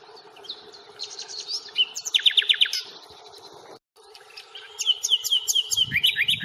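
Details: Nightingale song on the Fingringhoe reserve, 1 May, recorded with a Panasonic Lumix FZ82 camera: bursts of rapid high clicks and bright trills, a brief silent gap, then a fast string of sharp repeated notes and a buzzy ending.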